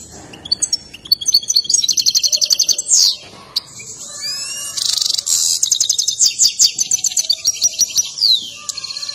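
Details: An excited European goldfinch sings its mating song with a dance. The song is a high, fast twittering run of rapid trilled notes and buzzy stretches, with a few descending slurred sweeps, delivered almost without pause.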